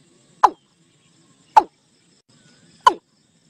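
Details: Watercock flock call used for netting: three full, falling notes spaced a little over a second apart, with a quiet background.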